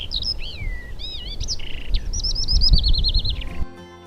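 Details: Eurasian skylark, Poland's most numerous breeding bird, singing in flight above fields after spring arrival to mark territory. Quick twittering whistles and swooping notes lead into a rapid rolling trill, then song breaks off into a faint steady tone.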